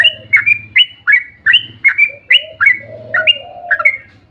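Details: Sooty-headed bulbul in long 'ropel' song, played to get other bulbuls singing. Crisp paired whistles with sharp starts repeat several times a second, with soft low hoots rising near the end and a faint low hum throughout.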